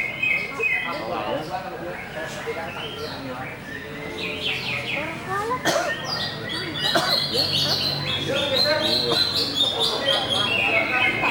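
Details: Greater green leafbird in busser singing style, pouring out a dense, fast stream of varied chirps, rising sweeps and short trills, overlapping and barely pausing, growing slightly louder in the second half.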